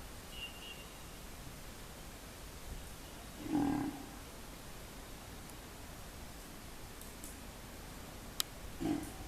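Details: Pigeon giving low, throaty coos: a rolling, purring coo just under four seconds in and a shorter one near the end, over a steady soft hiss with a sharp click shortly before the final coo.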